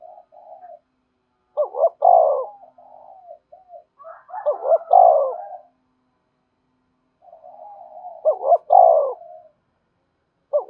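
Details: Deep cooing of a spotted dove played to lure wild doves, which are said to respond eagerly: three loud throaty coo phrases roughly every three seconds, each preceded by soft lower murmurs.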